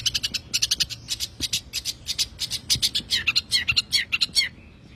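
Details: Long-tailed shrike singing in tembakan style for tutoring songbirds: a dense, fast burst of sharp, scratchy high chirps repeated about two per second, with jumbled varied notes and a brief soft trill at the end.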